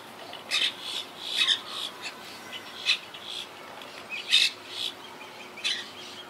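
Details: Colony of wild Quaker parakeets in tall trees, survivors of hurricane Irma in 2017; irregular raspy squawks, some doubled, at varied spacing, with softer chatter between louder notes.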